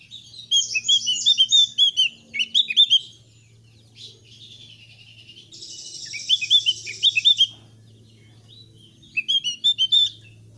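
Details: Repeated phrases of energetic Thick-billed white-eye song, a lure for new birds to join in: rapid bright chirping runs, a buzzy high passage in the middle, then another quick whistled burst.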